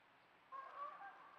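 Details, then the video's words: Canada Goose recorded on a trail camera in central Alberta gives one brief, nasal honk, a little under a second long, against a faint background hiss. "Canada Goose (calling)"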